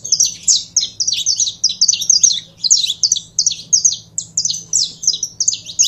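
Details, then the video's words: Saffron finch in steady song: bright, high, downslurred chirps grouped in quick bursts that repeat without pause, a faint low hum beneath. "CANARIO DA TERRA"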